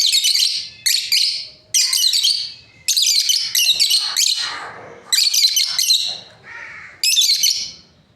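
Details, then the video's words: A breeding pair of lovebirds chirp in loud, shrill, scratchy bursts, each half a second to a second long, coming in irregular bouts with short gaps and an occasional softer, lower chirp. "Lovebirds parrot chirping sounds | breeding pair"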